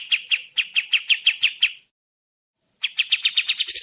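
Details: Kapas tembak, the sooty-headed bulbul, recorded clearly as a tutor for other cage birds: evenly spaced sharp chirps, then a gap of about a second before a quicker, slightly rising run of notes.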